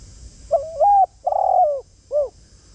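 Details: A spotted dove decoy calls to lure wild doves with one clear phrase of three coos: brief and bent, then long and rough with a downward slide, then short and arched. Faint steady hiss sits behind it.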